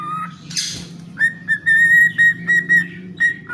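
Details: Singing pet cockatiel giving a brief rasping squawk, then a run of short clear whistles on one steady pitch, repeated about four times a second, over a steady low background hum.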